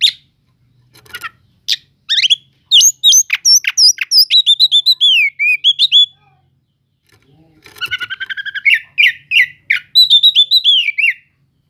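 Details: Cele'ngan song of an Oriental magpie-robin, played to provoke slow-tempered magpie-robins. Scattered chips build into a rapid burst of high whistles and falling slurs, a pause, then repeated buzzy double notes and sweeping whistles, with faint low background hum.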